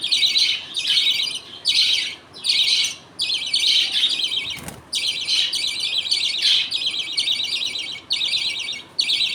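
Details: Budgerigar colony at feeding time, a father feeding his two chicks while the mother watches. Buzzy, high chatter repeats in bursts of about a second, and one brief low thump comes midway.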